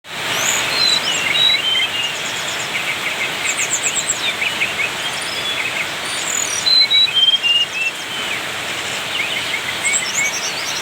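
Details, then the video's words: Bali white-eye singing vigorously, a busy stream of high whistled and trilled phrases with short repeated chips, over a steady background hiss. "srdc ori bali gacor cetrekan burung mewah"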